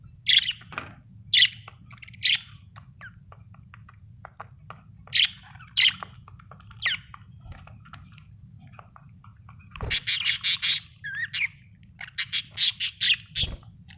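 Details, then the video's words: Budgie chirping: scattered sharp chirps early on, then dense rapid bursts of buzzy, broadband chatter near the end, with a couple of low thumps and soft background hum. "Australian beautiful birds sound 😍 budgie chirping sound 🥰"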